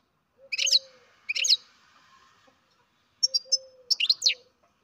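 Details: Captive-bred baby European goldfinch calling: short bright twittering bursts of high notes, two near the start and a quicker cluster later, with a steady low hum running beneath.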